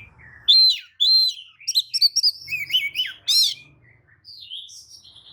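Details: Lure song of a white-rumped shama meant to make rival shamas respond and fan their tails: clear whistled notes, buzzy rattles and a loud harsh burst, with faint low rumbling below.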